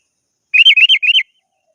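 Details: Sooty-headed bulbul calling a rival: a quick chain of six bright, rising-and-falling whistled notes, run together in under a second, with no other sounds.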